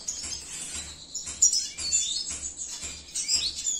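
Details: Cinnamon-mutation male red siskin kept in captivity gives bursts of high, scratchy chirps and quick descending squeaks, with brief gaps between phrases and a faint rhythmic low hum behind.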